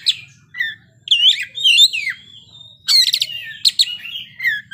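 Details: Kacer, the Oriental magpie-robin, in full continuous song unloading its repertoire: varied high whistled and twisting notes, then a dense rattling cluster of sharp chips, followed by falling whistles, with brief pauses between phrases.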